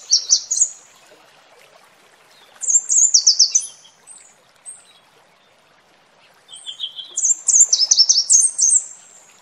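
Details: A red warbler sings three bursts of rapid, high twittering notes, each a second or two long, separated by short pauses, with a waterfall behind it.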